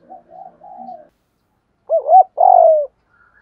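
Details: In the morning a spotted dove decoy calls: soft faint cooing, a pause, then two loud notes, a short double coo and a long hoarse one sliding downward.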